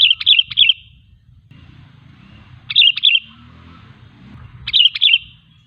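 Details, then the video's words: Sooty-headed bulbul song meant to provoke other bulbuls to sing and draw wild ones closer; three quick bubbly whistled phrases of several notes, about two seconds apart, over low traffic-like rumble. "Suara Burung KUTILANG GACOR 100% ampuh untuk memancing Kutilang lain agar bunyi"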